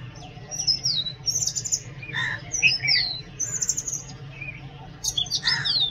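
An Oriental magpie-robin sings varied phrases of clear whistles, slurred rising and falling notes and scratchy chatters in quick bursts, over a faint low hum.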